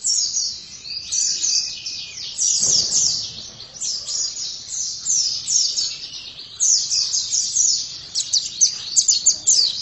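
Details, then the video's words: Oriental white-eye singing a long, busy stream of high, thin twitters and slurred chirps with barely a pause. A steady background hiss and a brief low rumble are also heard. "Pleci langsung gacor dalam 1 menit"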